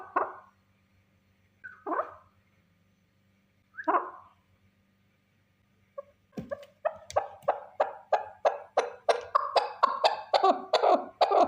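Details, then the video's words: Single male partridge: three spaced, hoarse notes about two seconds apart, then a sudden accelerating volley of sharp, clipped chucks that grows louder and faster. "Овози кабки нар Голос Куропатка صوت الحجل Partridge's voice صدای کبک"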